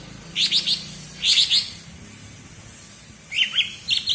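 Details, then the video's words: Cucak ijo of Alas Purwo, Banyuwangi, singing its characteristic bebeci: clusters of three quick bright chirps, a pause, another triplet, then lower slurred notes and a further burst. "Suara Bebeci Khas Cucak Ijo Alas Purwo Banyuwangi"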